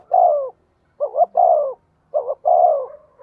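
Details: A spotted dove serving as a decoy to draw wild doves. A long falling coo is followed by two phrases, each a short rising double note and then a hollow, drawn-out descending coo. The recording is quiet.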